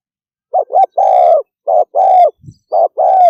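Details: Quick 'thúc gù' coos of a spotted dove: two short notes leading into a long hollow coo, then two more short-long pairs; one soft low thump between them.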